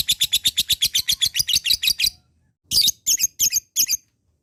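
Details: Lovebird ngekek used to provoke lazy singers: a two-second burst of rapid, harsh, high chatter, a short pause, then four separate squeaky chirps.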